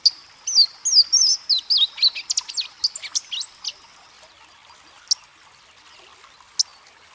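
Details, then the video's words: Louisiana waterthrush song starting with high slurred whistles and dissolving into a rapid, jumbled twitter, followed by a pause and two isolated sharp chip notes. "Louisiana Waterthrush Song"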